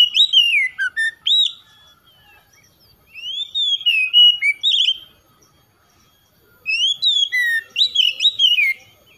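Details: Oriental magpie-robin singing in phrases of clear whistled notes, slurred rising and falling whistles with chirpy flourishes, given in three bursts separated by short pauses.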